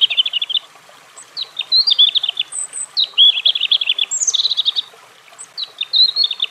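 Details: European robin, a small songbird, giving a varied high warbling phrase of quick clear trills and twitters, with short pauses between bursts and a thin high whistle in the middle.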